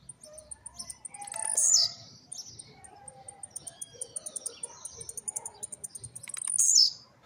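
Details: A newly acquired home-kept blue-black grassquit, emerging from moult, delivers two quick trincadeira songs. Each is a sharp, buzzy upward jump falling away, linked by a long string of fast, very high clicking ticks, with faint softer warbles below.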